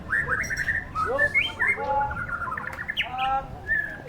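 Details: White-rumped shama singing in a bird singing contest in strong wind: rich, varied whistled phrases, rising and falling, with sharp upslurred notes and rapid trills, other contest birds overlapping, and low wind rumble underneath.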